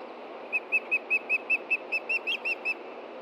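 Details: Osprey pair at a nest with chicks, Hellgate Osprey Project, Montana, 30 June 2013 around 11:30 AM, alarming at a threat from below: a steady series of about fourteen short, clear whistled notes, evenly spaced roughly five per second, over a constant background hiss.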